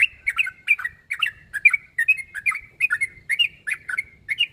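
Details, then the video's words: Sooty-headed bulbul calling out a rival, meant to provoke answers from other bulbuls: a steady run of short, bubbly chirped phrases, roughly two to three each second, mixing slurred downward and upward notes in a quiet setting. "Suara burung trucuk narung memangil lawan.bikin nyaut semua burung trucuk"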